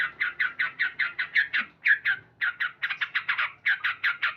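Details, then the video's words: Male sooty-headed bulbul calling loudly each morning, delivering steady runs of strong, chattering 'cuk cuk' notes about five per second, broken by one brief pause. "Terapi Burung Trucuk Gacor"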